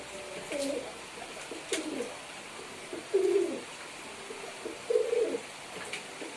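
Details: Pigeons, likely in a loft, giving low hoarse coos around three to four hundred cycles, in short phrases spaced about every one to two seconds, with faint clicks and rustling between.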